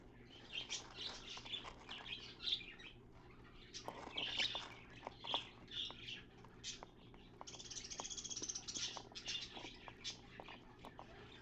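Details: Pet parakeet cleaning out its nest box, watched through a mirror; continuous soft chattering warble of high twittering notes and short chirps, with scratching and tapping sounds mixed in.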